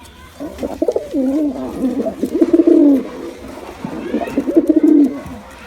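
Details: Male and female pigeons in a combined attack display, giving low, throaty, rolling coos in bursts, with a pause before a final swelling run of warbling notes.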